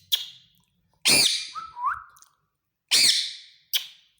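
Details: Talking male green ringneck parakeet, a pet: loud harsh screeches alternating with a brief rising whistled, speech-like phrase in the middle, then two more screeches.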